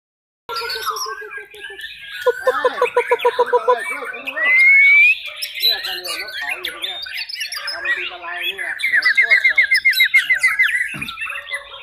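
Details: Spanish canary singing a long, continuous, varied song: rapid rolling trills, rising whistled slides and bubbling phrases, with a buzzy pulsed passage at the end.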